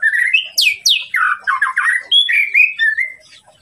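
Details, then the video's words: White-rumped shama song aimed at provoking an opponent: a mellow whistle, two piercing downward-sweeping notes, then rapid buzzy slurs and evenly spaced clear whistles that trail off. "masteran murai batu untuk memancing emosi lawan"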